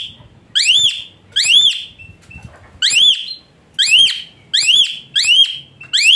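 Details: Loud arched whistles rising and then dropping away, repeated about every three-quarters of a second with short gaps, from an Asian pied starling offered as therapy for a lazy singer; a faint flat note links some of them.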